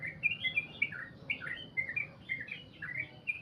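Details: Sooty-headed bulbul in long goklik song, a steady stream of quick slurred chirps and bubbling warbles rising and falling in pitch, delivered in close-packed phrases over quiet background hum.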